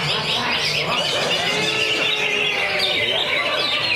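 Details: Cage-kept greater green leafbird, housed in a lovebird cage, sings a full, trembling ngentrok. Rapid high chattering and warbling phrases run almost without pause, with brief squawky notes. Murmured human voices sit low beneath.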